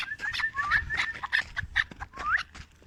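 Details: Four-year-old hand-reared chukar partridge in Tajikistan, 2021, calling: a run of short, clear, mid-pitched notes, about five in three seconds, mixed with a few upward-slurred whistles, over a low background hum.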